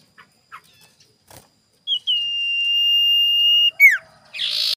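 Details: Lure song of a sirtu in the morning, used to provoke rivals. Faint scattered chirps lead to a long, level, piercing whistle of nearly two seconds, then a quick down-swept note and a short harsh burst.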